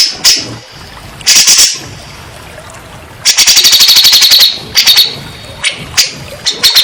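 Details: Grey-cheeked bulbul lure for stressed birds: harsh noisy bursts, then a fast, machine-gun-like rattle of high notes lasting over a second, ending in scattered sharp calls.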